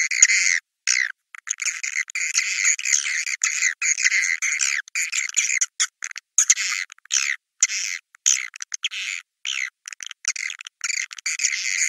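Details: Swiftlets calling in a 'Naga Merah' recording used to draw them to nests: repeated bursts of high-pitched squeaky chatter broken by short silences throughout.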